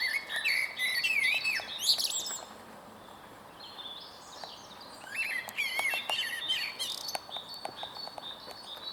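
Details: Male blackbird singing from a tall tree stump at Huys te Warmont Estate on 22 April 2022: rich fluty warbled phrases that rise and fall, ending in high squeaky twitters, with a pause between bursts and other birds chirping in the background.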